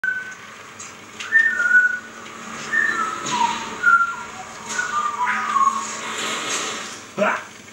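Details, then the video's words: A pet Harligold macaw gives a series of short, clear whistles, some rising and some falling, spaced about a second apart, with faint indoor noise and a brief human voice. "Harligold Macaw"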